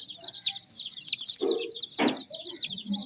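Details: A short burst of many chicks peeping together, high and rapid descending chirps with a couple of brief rustling noises.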